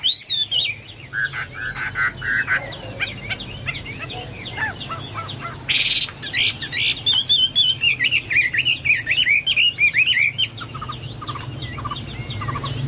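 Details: Chinese hwamei song compared to the cucak Papua and cucak mas. Whistled notes and soft chips come in spaced bursts, then a loud, fast passage of warbled, looping whistles follows, and quieter notes end the clip.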